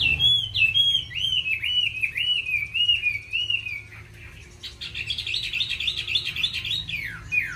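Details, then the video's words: Chinese hwamei in a cage singing varied forest-like phrases: a flowing series of looping whistles, a brief lull, then a dense, buzzy scramble of high notes ending in a falling slur. "Mi hót hay đẹp cb8864c nhiều giọng rừng hay mau mỏ"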